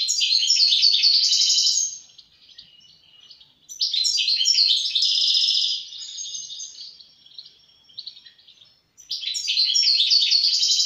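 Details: European goldfinch singing: bursts of rapid, high, tinkling twitters and buzzy trills about two seconds long, separated by quieter gaps, with the final phrase starting after a short pause.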